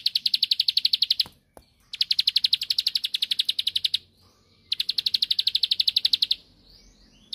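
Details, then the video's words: Provocative song of a bar-winged prinia used to draw a rival's reply: three long bursts of rapid, evenly repeated sharp high clicks, each lasting over a second, divided by brief silences. "Tembakanny Ampuh Pancing Emosi Lawan //Pasti Langsung Nyaut Gacor"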